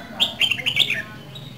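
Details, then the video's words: Red-whiskered bulbul from Dak Lak gives a brief, rich phrase of five or six quick whistled notes, bubbling up and down around a high pitch, over a quiet background. "CHÀO MÀO"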